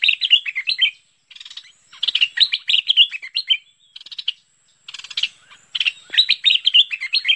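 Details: Bulbul called merbah pet pet (lekir), recorded in 2021 for luring the bird: dense runs of rich, slurred chattering notes with interspersed buzzy rattles and a few short pauses.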